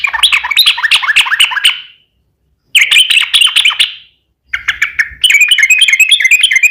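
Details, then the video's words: Sooty-headed bulbul delivering 'ropel panjang' long rolling song meant to coax other bulbuls into singing; three dense phrases of fast, chattering, slurred notes, the last run continuous and rapid without a break. "trucukan gacor ROPEL PANJANG buat pancingan trucukan agar bunyi"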